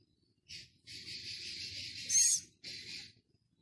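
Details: Six-day-old Philippine scops owl chick held at Prague Zoo on Thursday 13 August: a short hiss, then a long continuous breathy wheeze that rises into a brief louder shrill note, followed by another soft hiss.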